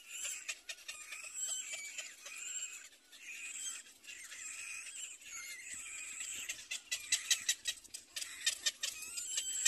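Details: Nest of little black cormorant chicks competing for food from their mother: a steady wash of high, wheezy squealing that builds into rapid, loud clicking bursts during the final seconds.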